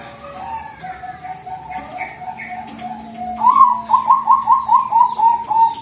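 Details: Female Bangkok-type zebra dove, a prospective breeding hen on a bird farm: soft, low warbling at first, then a clear run of rhythmic, bouncing coos repeated rapidly, with a faint steady hum indoors.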